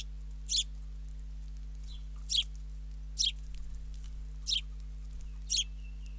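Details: A father sparrow feeding his fledgling at a country-bird camera in Ram On, Israel. Five bright, piercing chirps come roughly once a second, each a brief high burst, against a constant low mechanical hum.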